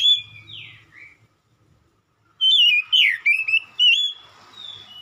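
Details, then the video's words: Oriental magpie-robin lure song, meant to draw an immediate answer. A short whistled opening and a slurred note, then a pause. Next comes a loud burst of rich, twisting whistles with sharp rising and falling slurs. Faint drawn-out whistles linger behind. "PANCINGAN KACER LANGSUNG NYAUT"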